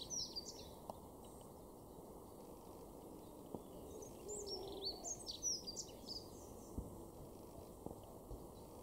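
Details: In a garden in Weener, East Frisia, northwest Germany, in May 2022, a dunnock gives a quick, high, scratchy warble lasting about a second and a half, over a steady low background rumble and a few scattered faint chirps.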